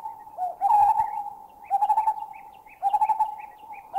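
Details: Lineated barbets in Thailand, one bubbling and another adding a double note call. Short, rolling clusters of hollow notes roughly every second, with thin, higher chirps from another bird in between.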